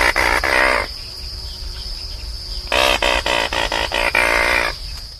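Anhinga giving harsh, rapid clicking rattles in two bursts, with a steady high hiss of insects in the background.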